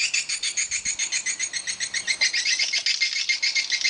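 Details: Swiftlets at a swiftlet house: a rapid, regular pulsing chatter of high buzzy chirps, about four per second, with no pause.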